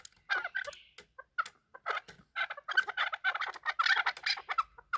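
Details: Fighting Chukar partridges give scratchy clucking notes, sparse at first, then a fast, crowded run of harsh chuk calls growing louder toward the end.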